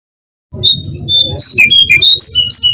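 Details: Brown-cheeked fulvetta lure song: a few drawn-out whistles followed by quick alternating high and low whistled notes, repeated briskly, with a noticeable low rumbling hum underneath.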